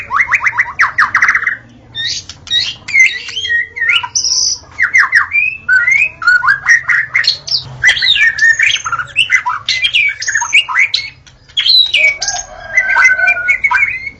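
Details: White-rumped shama singing vigorously in the forest: it opens with a fast buzzy trill, then continues with a dense, varied stream of sharp whistles, chips and swooping slurred notes, barely pausing.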